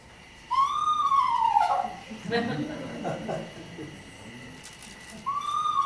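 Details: Eastern Screech-Owl whinny, a New Jersey owl that likes urban areas: a high, horse-like whistle sliding downward over about a second, with a second one starting at the end; a person talks in between.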